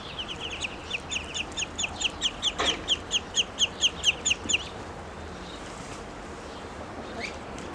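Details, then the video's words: Grown ducklings calling when hungry: a rapid series of high, thin downslurred peeps, about three per second for four and a half seconds, then quiet with a faint steady hum. "Ducklings have grown and are making more sounds, especially when hungry"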